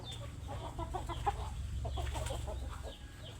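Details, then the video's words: Hungry chickens make rapid soft clucks and murmurs over a steady low droning hum, with a few brighter notes standing out. "Suara ayam lapar"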